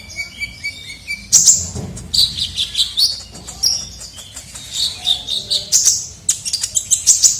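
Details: Kolibri ninja sunbird in a lively lure recording for attracting birds: a steady high whistle, then rapid bursts of sharp, very high chirps and short twittering phrases.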